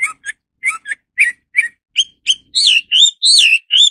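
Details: Hwamei song, Garrulax canorus: spaced short chirps quicken into long, loud, rising and falling whistled notes over about four seconds.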